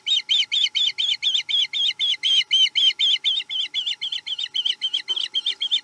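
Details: At its Chesapeake nest while feeding on menhaden, 7 April 2020, an osprey repeats sharp whistled chirps about four per second. The series runs steadily, then softens slightly near the end, with a brief low knock midway.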